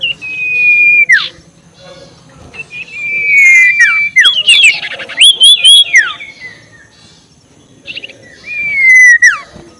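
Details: Lure recording of an ashy tailorbird's ngekek call meant to make rivals agitated: long drawn whistles that drop sharply at the end, separated by pauses, with a burst of quick looping notes in the middle.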